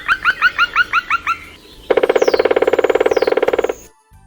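A woodpecker gives seven sharp, rising chirps, then a fast, steady drum roll of about twenty knocks lasting nearly two seconds.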